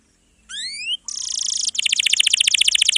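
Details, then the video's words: Atlantic canary in full, dense long-roll song, used to tutor young canaries and ones that stopped singing: a few upward-slurred whistles, then a buzzy dense trill, then a fast run of repeated sharp notes. "KENARI GACOR ROLL PANJANG"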